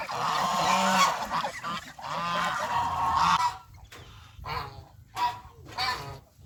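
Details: Domestic geese on a farm in Cambodia, out grazing on fresh grass and grain by a pond; loud, harsh, drawn-out honks overlapping, then shorter separate honks with pauses between.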